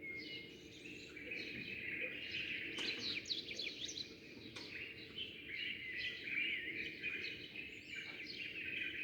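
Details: Sparrows chirping at dawn, many birds arriving and leaving. A dense, overlapping chorus of quick, high twittering chirps and short trills runs throughout. Some louder sharp notes come around the third and fifth seconds, over a low steady background hum.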